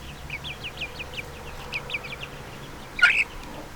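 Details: Little chickens peeping: a steady run of short, high, downward-sliding chirps, about five to six per second, then a louder, harsher squeal near the end over a quiet background.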